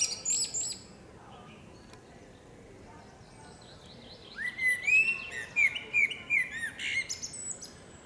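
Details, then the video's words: Singing female common blackbird in a forest: thin high twitters at first, then a pause, then a run of rounded, fluty whistled phrases mixed with sharp high squeaks. "Dźwięk śpiewu kosa. Samica kosa śpiewa. Kos śpiewa w lesie. sounds and singing of the blackbird"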